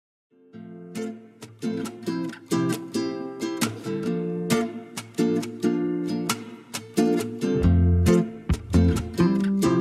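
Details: Plucked guitar music of bright, rhythmic strummed chords and picked notes, with no animal voice heard.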